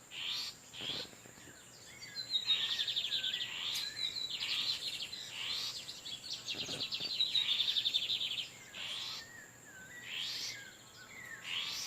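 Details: Male lined seedeaters singing back and forth in the wild, Torniado style, while a female sits on eggs: repeated high chirps and fast buzzy trills, the louder phrases around the middle, with scattered call notes between.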